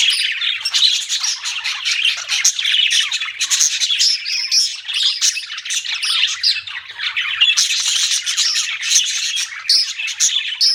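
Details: Budgies in steady chatter, a busy mix of scratchy chirps, warbles and sharp squeaks running nonstop for the whole stretch, with a slight lull near the middle before the chatter swells again.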